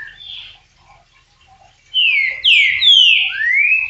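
A green-winged saltator gives loud, rich whistled slurs, some falling and some rising, in a quick run of about five notes. Softer birdsong is heard faintly before it.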